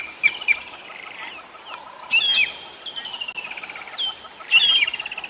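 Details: Drongo at its nest at sunset on 26 January 2022, mobbing a Wahlberg's eagle to protect its chicks or eggs: harsh, buzzy chatters and sharp upslurred notes in bursts, with metallic twangs, against faint background noise.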